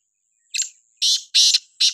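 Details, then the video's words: Black francolin giving a harsh, buzzy call: after half a second of silence, four grating bursts follow in quick succession, the first short and softer, the next three loud and rasping, each about a quarter second long. "titar voice"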